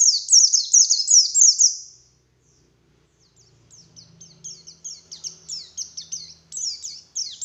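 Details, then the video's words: Morning white-eye lure song: loud rapid falling whistles for two seconds, a quiet gap, then a softer and gradually strengthening series of high notes, with a faint low hum. "Suara Burung Pleci Gacor || Pancingan Pleci Ngalas Pagi Hari"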